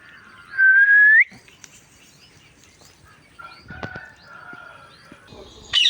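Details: Indian ringneck parrot making sounds: one loud rising whistle lasting about half a second, followed by quieter scattered chirps and clicks, then a short harsh squawk at the end.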